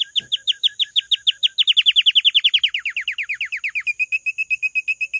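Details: Canary singing indoors: a rapid series of clear, evenly spaced descending whistled notes that quickens and grows louder, then shifts into a steady run of short, level chirps; a faint constant high hum runs throughout.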